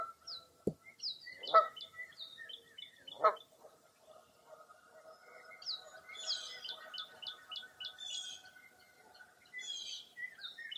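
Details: Birdsong at Mirror Lake State Park, Baraboo, Wisconsin, on a foggy early April morning. Harsh calls and a sharp click come early, then series of quick high chirps and whistles build toward the end.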